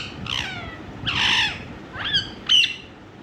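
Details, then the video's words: Indian ringneck parrot, a talking bird, giving four harsh, raspy squawks with descending harmonic sweeps, the last two shorter and sharper, over quiet low background hum. "Ringneck talking parrot"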